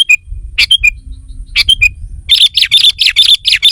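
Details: Sooty-headed bulbul lure call, used to attract wild rivals and draw them together: a few scattered sharp chirps, then a quick run of about eight bright repeated chirps in under two seconds, over a faint low rumble.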